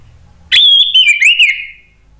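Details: Orange-headed thrush, caged song bird, producing a loud, sharp wavering whistle with slurred rises and falls, part of an agitated song used to provoke other birds into singing.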